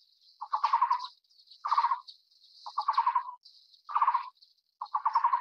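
Taiwan barbet giving short, hollow, rapidly pulsed low trills, one burst about every second. A steady high insect buzz runs behind.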